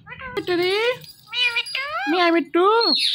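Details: Talking pet Indian ringneck parrot: four loud, rich, speech-like syllables in quick succession, each bending and falling in pitch, the last one sliding down sharply, with a low room murmur beneath.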